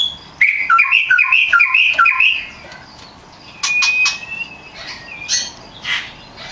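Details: Oriental magpie-robin, a kacer in lively singing form, song used for training other songbirds: a run of bright warbled whistled notes repeated quickly for two seconds, then a thin sustained whistle and scattered sharp chips.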